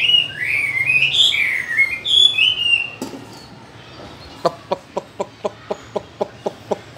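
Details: Chinese hwamei in a cage gives about three seconds of loud, sliding, rising and falling whistled phrases. The song then stops and is followed by a steady series of sharp taps, about four a second.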